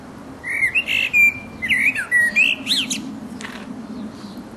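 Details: Resident blackbird's mating song, sung in full voice: a string of mellow whistled notes with jerky upward and downward slurs, ending in scratchy high chatter, against a soft low hum.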